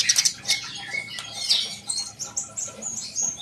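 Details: Sunbird giving quick high ticks at the start, then a running stream of thin, shrill twitters and short rising whistles.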